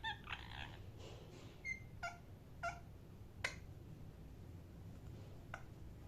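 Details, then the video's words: Parrot giving short harmonic chirps, about seven scattered across six seconds, some clipped and some slightly drawn out, over a low steady indoor hum. "parrot chirping sound"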